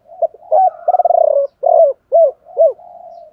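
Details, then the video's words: Spotted dove, cock and hen, chieu ba hau song used to spur other doves to sing: brief low notes, a trembling stuttered coo, then three rounded arched coos at half-second spacing, ending in a soft fading murmur. "tiếng chim cu gáy chiêu ba hậu"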